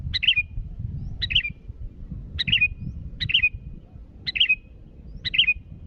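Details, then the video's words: Six evenly spaced short phrases from a sooty-headed bulbul calling rivals: a crisp note and a brief warbling flourish roughly once a second, with continuous low background rumble. "Suara burung Kutilang Gacor memanggil lawan"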